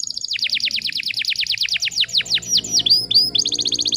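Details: Canary singing tight, fast phrases for tutoring: a long run of rapid descending whistles, then several clear rising notes and a resumed quick high trill, faint low tones underneath.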